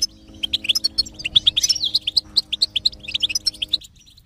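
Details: Goldfinch singing, used to prompt a quiet goldfinch into song: a dense, fast run of liquid chirps and tinkling twitters without a break, over a faint low steady hum that stops near the end.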